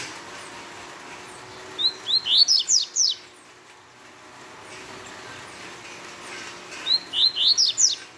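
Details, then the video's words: Double-collared seedeater with its fast Tui Tui song: two bursts of six or seven clipped, upward-sweeping whistled chirps, roughly five seconds apart, over faint background hiss. "Coleiro Tui Tui rápido fora de série"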